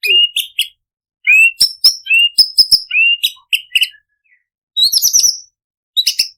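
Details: Lure song of an imported white-rumped shama, meant to stimulate other shamas to sing and packed with mimicry of greater coucal: clear whistled notes alternating with sharp clicks and high buzzy chirps in quick phrases, a brief pause mid-sequence.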